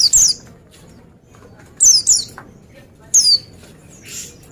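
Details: Oriental white-eye, said to be in full song, producing bright, high descending chirps, singly and in doubled bursts, separated by quiet gaps of over a second against a faint background hiss.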